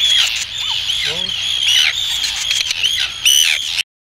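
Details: Adult Arctic terns feeding chicks on the Farne Islands, UK: harsh, grating, high-pitched cries in an unbroken overlapping chorus, with sharper squawks standing out now and then.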